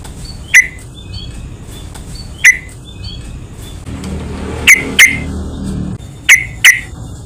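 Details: Yellow-vented bulbul calls played as a lure to stir other bulbuls: single sharp chips, then paired ones. Faint short whistles sit between them, with a low rumble of background noise.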